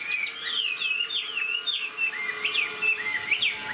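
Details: Hwamei kept in a cage, fresh plumage, tail fanned and flicking as it sings; clear whistled notes bend and swoop in quick succession, short slurred phrases tumbling one after another.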